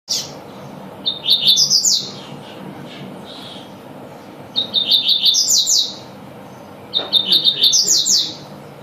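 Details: Double-collared seedeater singing the tui-tui style: three bright phrases, each opening with short high notes and climbing into a quick run of sweeping, ringing syllables, repeated about every three seconds over a low steady hum.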